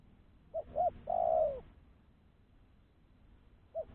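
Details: A spotted dove serving as a decoy for catching doves, uttering two short clipped notes and one long, sliding coo, then a lone short note after a pause.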